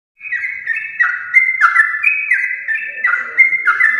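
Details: Yellow-vented bulbul of champion lineage in long, rapid, nonstop song, used to prompt home-kept bulbuls to sing: clear whistled notes stepping down in short linked phrases, several per second, with faint chatter underneath.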